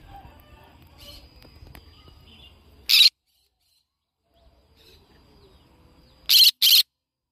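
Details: Three harsh, grating shrieks from a yellow-sided conure: one burst, a pause of about three seconds, then a quick double blast, over a low background hum.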